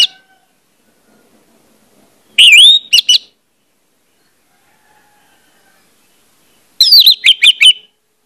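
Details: Captive orange-headed thrush gives two loud bursts of varied song, sweet rising whistles mixed with sharp chattering notes, separated by about four seconds of silence, used as a lure to prompt other birds to sing; Orange-headed thrush.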